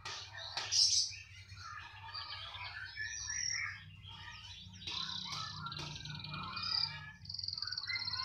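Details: Canary in continuous song, said to keep singing wherever it is placed: dense, overlapping chirps, buzzy passages and high thin whistles with rapid notes running together, above a steady low background hum.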